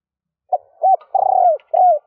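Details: Female spotted dove cooing to excite males. One phrase: a short soft note, an arched hoot, a long throbbing falling coo and a final arched note. The phrase is low and mellow over silence.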